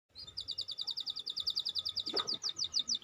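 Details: Canary song used as a prompt to get a lazy or stalled bird singing: a rapid, even trill of sharp high notes about five per second, with a brief lower rasp near the end.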